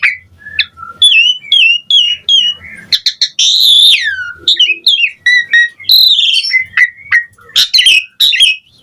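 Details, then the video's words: Asian pied starling singing varied gacor song for training other birds: wavering whistles, a long buzzy slurred note, quick chips and shrill squeaks in shifting phrases. "Pancingan Jalak Suren Gacor Mompa Variasi Mewah / Masteran Suara Burung Jalak Agar Gacor Full Isian"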